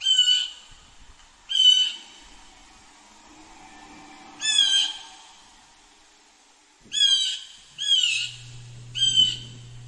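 Harsh, nasal jay calls with rich harmonics, given in short bursts every couple of seconds and doubling up near the end, over faint background hum.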